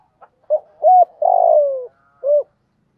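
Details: Spotted dove cooing to lure wild doves. A run of uneven notes rises into a long, loud coo that slides downward, then a short closing coo. A faint thin whistle runs alongside.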